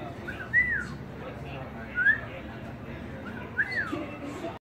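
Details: Cockatoo singing: three whistled phrases, each rising then sliding down, about a second and a half apart, over a faint steady background hum.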